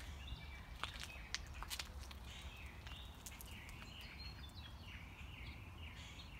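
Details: Unseen mockingbird running through its repertoire on a morning walk: repeated varied chirpy phrases in quick succession, some rising and falling, with clicks, footsteps and low background noise.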